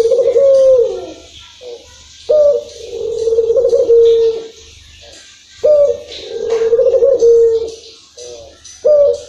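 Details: Local spotted dove singing a long-rhythm song: low, mellow coos, each phrase opening with a short higher note and swelling into a drawn-out hum, repeated about every three seconds with faint background hiss.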